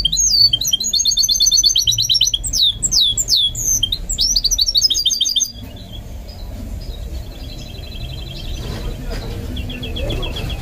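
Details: Goldfinch mule being trained to sing: a fast run of sharp, high twittering and buzzy sliding notes for about five seconds, then quieter scattered high chirps over a low background hum.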